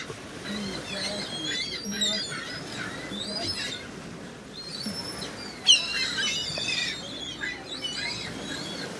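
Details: Gulls everywhere calling: a continuous mix of short squeaky yelps and harsher cries from many birds, with one sharp loud call standing out midway.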